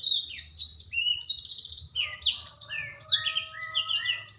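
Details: Juvenile black-throated canary kept as a songbird gives a rapid, continuous warble of sliding high notes and buzzy trills, its melodic twists rising and falling, over a soft steady background tone and low hum.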